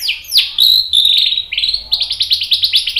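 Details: White-rumped shama 'tembakan' phrase for provoking other shamas to sing: sweeping high whistles and a sustained piercing note, followed by a fast series of short repeated chirps.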